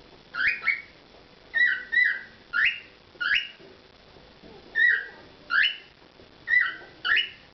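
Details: Performing pet cockatiel whistling a tune of clear, rising and falling notes, mostly grouped in pairs and repeated about every second, with brief gaps between phrases.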